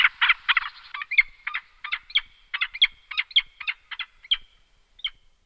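A peregrine falcon gives a fast series of harsh, grating notes, about three a second, some with a sharp upward inflection. No other sounds are heard.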